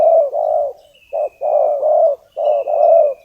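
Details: Decoy spotted dove calling wild doves in: full, throaty coos in paired phrases, a short note then longer drawn-out coos, with faint high whistles above.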